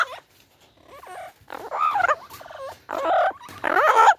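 A parrot gives loud, warbling calls that bend up and down in about six bursts over four seconds. A person's voice can be heard scolding nearby.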